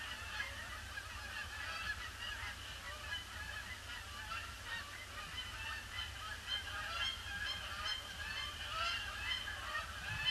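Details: Large flock of Canada geese circling a pond before landing on a gloomy grey Boxing Day, 26 December 2015; dense overlapping nasal honks pour out continuously, many birds at once, over a steady low rumble of wind.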